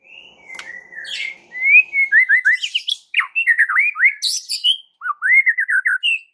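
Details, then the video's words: Song of a white-rumped shama meant to spur quiet shamas into singing: a steady whistle, then a rhythmic series of rising slurred notes, buzzy high bursts, and a final group of whistled upslurs. "PANCINGAN Murai Batu Sangat EFEKTIF untuk Murai Batu kurang GACOR jadi NGAMUK"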